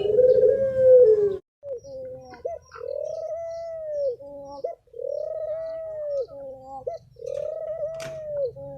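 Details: Thổ pháp style song of a spotted dove from 2023, used to stir up new wild birds, males and females: a loud opening coo, then three steady arched cooing phrases at an even rhythm, clean with little background.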